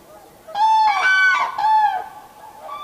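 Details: Common crane at Heinä-Suvanto nature reserve, Viitasaari, recorded 2011-04-26: loud, trumpeting honks with rich harmonics, two or three rolling calls in quick succession, then a softer call trailing off at the end.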